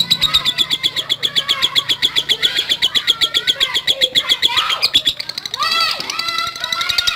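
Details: Lovebird in long ngekek chatter, used to provoke other lovebirds: quick high rattling pulses, with lower chirps mixed in and a jumble of other bird calls near the end.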